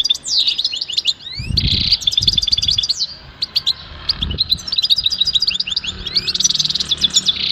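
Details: Goldfinch giving a varied song of sweeping whistled slurs, buzzy notes and rapid tinkling chirps over more than seven seconds, with a few low thuds in the background.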